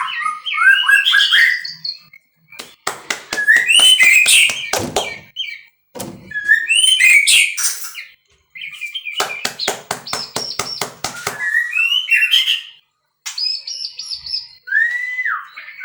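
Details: Captive-bred white-rumped shama in full varied song: rich fluting whistles and quick warbled phrases alternating with long rattling bursts of rapid clicks, closing with a rising-falling whistle.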